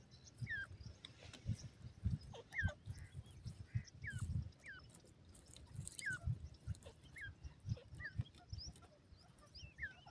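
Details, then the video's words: Dakhni desi teetar, a francolin, repeating brief high chirps that slide sharply downward, roughly one every second, with soft low knocking and rustling sounds underneath. "dakhni desi teetar ke awaz"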